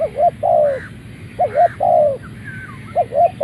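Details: A captive Malay-line dove, just arrived and calling straight out of its transport box before eating, gives soft, hoarse coos in short phrases of two or three notes, about every second and a half; faint chirps of other birds behind.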